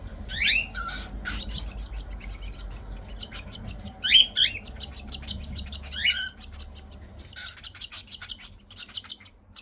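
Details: Hand-fed cockatiel chicks at feeding time indoors, making harsh rising squeaky begging calls, some doubled, spaced several seconds apart, followed by a stretch of rapid clicking and ticking.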